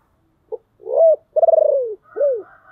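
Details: Caged decoy spotted dove with a deep, husky voice calling to provoke wild doves: a short soft note, a rising coo, a long throbbing pulsed coo sliding downward, then an arched falling coo, in a quiet room.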